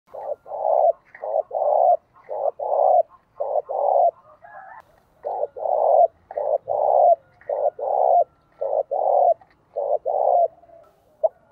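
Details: Decoy spotted dove cooing loudly to lure wild doves, delivering a long run of low hollow coo phrases, each a string of mellow notes with short pauses, nearly one phrase per second, with a brief gap midway.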